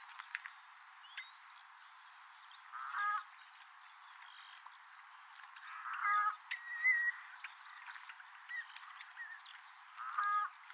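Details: Two Common redshanks, possibly fighting in breeding-season courtship, mid-morning at Gallows Bridge Farm nature reserve, Upper Ray Meadows, give short bursts of quick piping notes about every three seconds, with a clear whistle between bursts over steady hiss.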